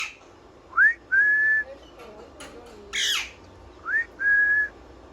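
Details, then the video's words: Pet parrot whistling: a short rising whistle followed by a longer steady whistle, the pair repeated twice, with a brief harsh squawk between them in a quiet room. "Parrot whistling full enjoyment"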